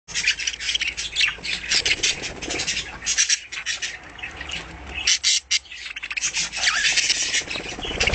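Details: Several captive, home-bred budgerigars chatter continuously in a dense mix of scratchy squawks, high chirps and warbling notes, overlapping with barely a pause.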